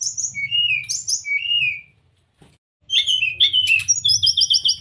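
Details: Master song of the brown-chested jungle flycatcher for teaching caged birds: high whistled slurs and rapid bright chirps, broken by a short pause, then another burst of quick repeated high notes.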